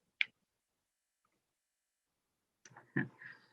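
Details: A single sharp click, then more than two seconds of silence, then a brief muffled burst like the start of a spoken word.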